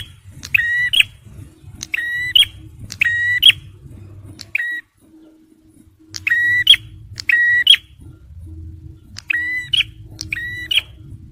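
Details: Male bar-winged prinia song for luring and stirring stressed birds: short harmonic phrases with a flat band ending in an upward stroke, delivered in bursts of three or four, with brief pauses and a faint low hum.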